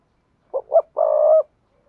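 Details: Low cooing of a decoy spotted dove, used with a speaker to get wild doves calling fast: two clipped notes then a long level coo, quiet surroundings.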